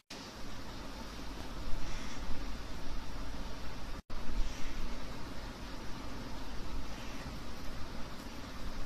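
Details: Steady broadband rumble like a fan or a passing vehicle, with a brief dropout near the middle; no animal calls are heard.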